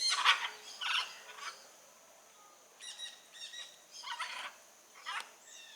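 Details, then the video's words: Wild blue-and-yellow macaw giving loud raspy squawks at the start, then a quieter stretch of shorter, stuttering harsh notes in quick clusters. "Arara Canindé na natureza"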